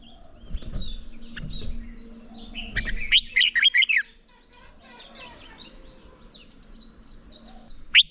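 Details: Red-whiskered bulbul giving its morning contest song, a recording for training voices and rousing newly caught birds: one loud, quick, warbled phrase of fluty rising and falling notes near mid-clip, with faint chirps and a low hum behind.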